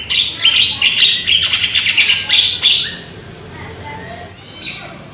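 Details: Rapid, scratchy chattering from a young, loud Javan myna, about three harsh notes per second for three seconds, then fading to faint, scattered calls.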